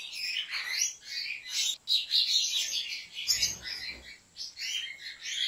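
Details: Turkish-bred goldfinch sings rapidly and continuously. Tinkling chirps, short trills and twittered phrases follow one another with brief breaks, and a faint low rustle is heard in the middle.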